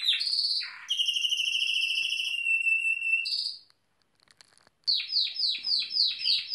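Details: Spanish Timbrado canaries of the Original line, two groups in an aviary showing off their singing. Long, even, metallic rolled trills are held steadily beneath a thin high note, then a brief pause, then rhythmic bubbling rolls.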